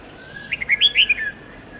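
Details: Red-whiskered bulbul song for teaching juvenile birds long songs: a rapid sequence of about seven chirpy whistled notes, building to loud bright notes mid-phrase and ending in a downslurred tail, over a faint steady tone.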